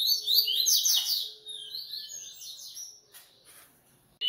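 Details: Coleiro singing fast, buzzy trills in the high register, fading into scattered chips before one sharp note at the end.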